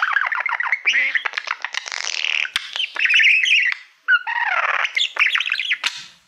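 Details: Warbling male budgerigar addressing a reflective play button, his favourite mirror: almost nonstop stream of chirps, rasping buzzes and gliding whistles with one brief break.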